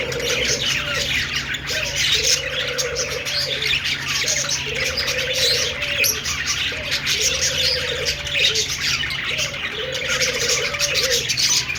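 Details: Budgerigars keep up an unbroken high twittering chorus for several seconds, with a low cooing phrase repeating four times at even intervals below the chatter.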